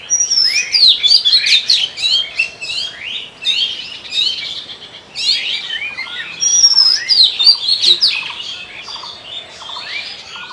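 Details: Oriental magpie-robin breeding song: rich, varied phrases of sweet whistles and quick slurred notes in bursts, with a softer, lower chirp repeated rapidly in the background.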